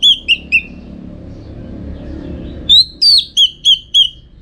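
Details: Orange-headed thrush, used for song-contest training in Singaraja, North Bali, gives three short clear whistles, a quiet gap, then a rising swooping whistle followed by four evenly spaced ringing notes.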